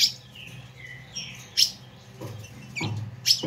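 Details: Ultramarine grosbeak giving a fiery chattering song meant to stir up other males: short, high slurred notes falling in pitch, broken by sharp, harsh bursts about every half second, over a faint low hum.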